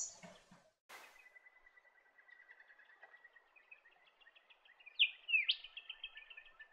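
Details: White-breasted robin in south-western Western Australia giving a soft, rapid run of thin, high notes at a steady pitch, ending in two louder, sharp, downslurred notes. The surroundings are otherwise quiet.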